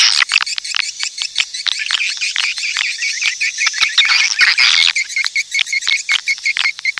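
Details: Swiftlet calling sound, a 2023 recording made for playback to attract swiftlets to nest houses. Dense, loud bursts of rapid chirps and buzzy twitters follow one another almost without pause, with no other sounds.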